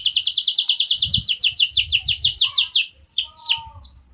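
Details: Canary delivering a song said to make opponents answer quickly: a long, rapid, loud rolling trill of repeated notes that slows into separate high descending sweeps; low rumbling background noise throughout.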